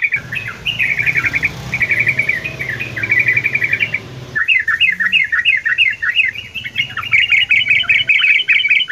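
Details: Sooty-headed bulbul singing in a mini aviary in the morning: dense, chattering runs of bright warbled notes, a pause near four seconds, then faster bubbling phrases, with a low background rumble.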